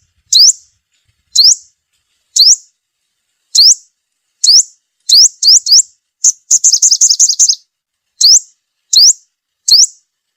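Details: Sunbird lure call for attracting birds to a trap: mostly single sharp, high upslurred notes spaced about a second apart, with one fast chattering trill midway.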